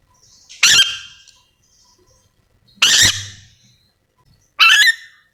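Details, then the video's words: Three loud, grating screeches from a yellow-and-green lorikeet, the Sulawesi endemic parrot, spaced about two seconds apart, each short and harsh with a brief decay. "Suara asli nuri dora memanggil"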